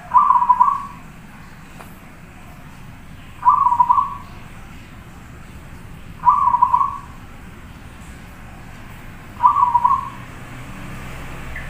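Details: Prolific zebra dove on a masteran tutor recording, singing four short, clipped, rapidly pulsed coo phrases at steady intervals of about three seconds, over low background rumble.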